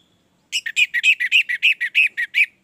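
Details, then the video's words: Short burst from an orange-headed thrush: about twelve quick, slightly buzzy whistled notes fired in under two seconds, evenly spaced and at similar pitch, in a clean quiet setting. "Anis merah gacor"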